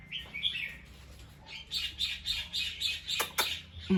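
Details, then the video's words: Bulbul giving alert calls after a sound: a fast string of bright, buzzy chirps repeated roughly twice a second, with sharp clicks and a low thump at the end over background hum. "The sound of a bulbul Listened and then definitely alert."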